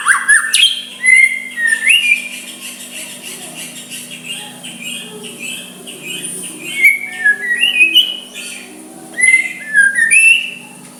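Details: White-rumped shama singing softly to draw a rival's reply; a long run of varied whistled phrases, slurred upward and downward, with scattered sharp high notes and quieter stretches, a low hum in the background.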